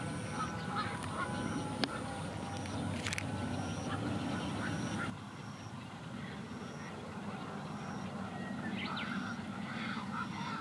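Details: Black-crowned night herons at a heron breeding colony with growing chicks on the Ota River: harsh, croaking squawks over a steady hiss, with faint high-pitched ticking in the background.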